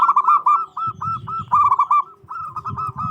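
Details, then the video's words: Zebra dove of a local strain, singing loudly to rouse rivals into answering: rolling, slightly trilled coos in quick succession over a low rumbling background noise. "PERKUTUT LOKAL GQCOR SUARA BESAR LANTANG BIKIN EMOSI LAWAN NYAUT."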